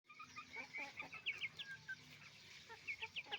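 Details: Roosters and hens making noise together on a chicken farm: a dense chorus of short, rising, squawky clucks repeated irregularly, with several birds overlapping and a steady background hum.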